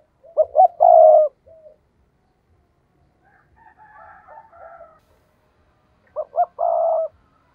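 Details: Spotted dove decoy bird calling to lure rivals, with two cooing phrases of short notes ending in a long coo. Between them a fainter, higher wavering call can be heard.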